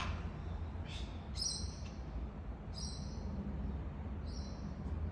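A sulphur-crested cockatoo gives three brief, high, squeaky sneezes about a second and a half apart over a steady low indoor hum.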